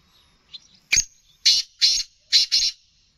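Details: A captive black francolin, also called kala teetar, being sold. A sharp click comes first, then three loud, scratchy, high notes, the last two closely paired, forming a rhythmic grating phrase.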